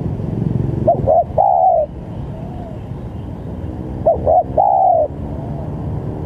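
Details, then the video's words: Spotted dove described as very vocal, calling to provoke rival doves: two short clipped coos followed by one long, level, drawn-out coo, the phrase given twice about three seconds apart over a low rumbling background. "Suara tekukur Ini//Sangat Gacor//Cocok Buat Memancing Lawan"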